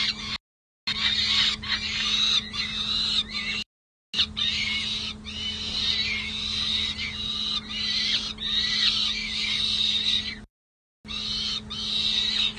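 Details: Young peregrine falcons at a San Jose City Hall nest box in late May, after leaving the box for a night outside: continuous grating, high-pitched calling in long bursts with short breaks, constant low hum.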